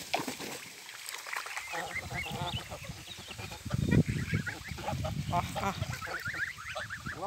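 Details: A small flock of domestic geese on the Volga river, swimming, honks repeatedly in loud, nasal, overlapping bursts, some rising and falling, over a steady background rumble.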